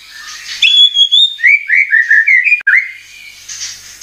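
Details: White-rumped shama (murai batu) lure song used to make the bird sing and show off its repertoire: a long high whistle, then a quick run of varied rising and falling whistled phrases, cut off abruptly.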